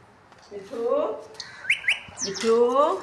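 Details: Pet parrot kept as a talking bird, giving two drawn-out rising tonal glides rich in harmonics, split by a pair of sharp high chirps; indoor room.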